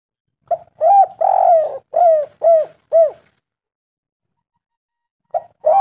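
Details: Local spotted dove singing as a lure to draw other doves, a series of soft hollow coos with a rising-falling shape, about six notes in a row, then a pause before two more coos begin.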